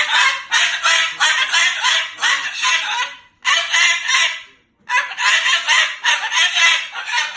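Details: Moluccan cockatoo, angry and cursing at its owner. Fast, choppy, raspy syllables pour out in two long bouts split by a brief silence near the middle.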